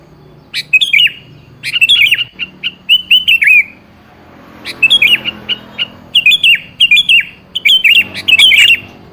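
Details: Sooty-headed bulbul song meant to coax a seldom-singing bird to reply: rapid, lively series of bubbling, warbled whistled phrases, repeated almost continuously with one short break, clear over a faint low hum.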